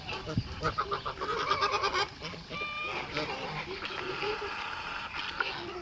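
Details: Male white Kholmogory goose hatched in 2014, kept on a farm in Bulgaria, giving a run of harsh nasal honks in quick succession, then quieter calls, with other farm noise behind.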